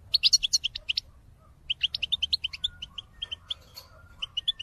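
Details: A European goldfinch recorded in 2022 gives a calling song meant to spur other birds to sing: quick bright twittering notes in two bursts split by a brief pause, with a faint steady low whistle in the background.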